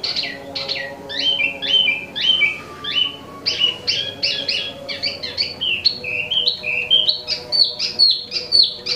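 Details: Imported wambi mini singing without pause, a rich jumble of fast whistled slurs, chirps and short trills at high pitch, phrases repeated and varied through the passage.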